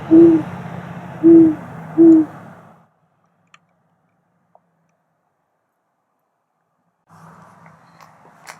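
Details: Great horned owl calling at night while sitting on a house roof, giving three low, mellow hoots in quick succession over a steady low hum, followed by silence and faint background noise.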